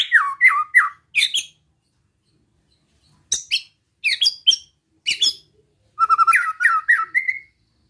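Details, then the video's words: White-rumped shama in relaxed besetan song meant to provoke other shamas: scattered sharp high chips and short whistles separated by silences, ending in a quick run of whistled notes. "Suara Besetan Santai Mancing Emosi Murai Lain | PANCINGAN MURAI BATU"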